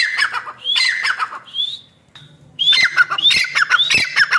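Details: Female black francolin calling: loud harsh squawking notes with rising whistled slurs, broken by a brief near-silent pause before the grating calls resume.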